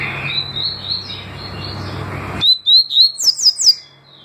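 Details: Double-collared seedeater song in tui tui and deputado styles: softer warbled notes over hiss, then a crisp run of about six bright, rising whistles ending in higher sharp notes.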